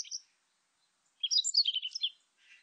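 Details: Song of the warbling white-eye: a few thin high notes, a pause, then one hurried twittering phrase of bright, sliding squeaks, ending with a faint soft rustle.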